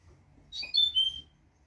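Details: European goldfinch delivering one phrase of its memorized note, a model for training young birds: a fast cluster of high twittering notes easing into a falling whistle, with low background rumble.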